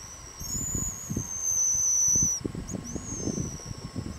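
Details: High-pitched whistle calls of pigeon guillemots: a long, steady, piercing whistle lasting over two seconds, then a shorter one. Low breathy rumbling and snorts sound beneath, with an elephant seal breathing and sea lions roaring in the background.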